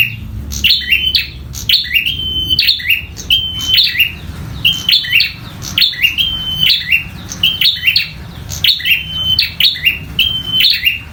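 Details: Bar-winged prinia, a local bird, in a fierce fighting song: clipped chip then a flat, piercing whistle, phrases coming about every second without pause, over a soft low rumble.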